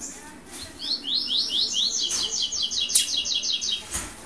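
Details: A young double-collared seedeater just beginning to sing runs about fifteen quick, high, slurred chirps into a rough three-second phrase, with a few sharp clicks around it.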